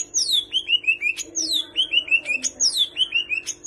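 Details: Greater green leafbird singing a full song packed with imitations of kapas tembak and cililin calls: bright whistled phrases that swoop down and end in short chirps, repeated about every 1.2 seconds over a steady low hum.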